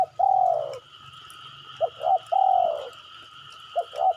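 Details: Luring call of a spotted dove meant to make other doves answer: a long falling coo, then two clipped coos and another long downslurred coo, then two more short notes, over a steady high background tone.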